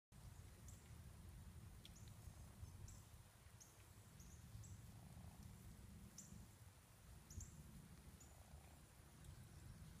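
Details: Three Sandhill Cranes strolling on a driveway come up close and purr, a soft, low, rolling purr that rumbles on steadily, with a few muffled mid-pitched notes. Faint high chirps sound in the background.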